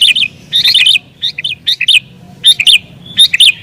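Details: Sooty-headed bulbul in excited, rival-pressing song for luring wild birds: loud bubbly phrases of rising and falling notes repeated at uneven intervals, some run together.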